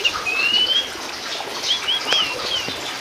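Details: Oriental magpie-robin, race musicus from Sumatra, giving a long rising whistle and then several short arched whistled notes over a loud hissing background.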